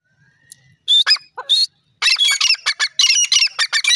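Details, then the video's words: Grey francolin calling in the jungle: a few loud harsh notes, then a rapid series of shrill, grating high calls repeated several times a second until the end. "lovely jungle teetar ki awaz"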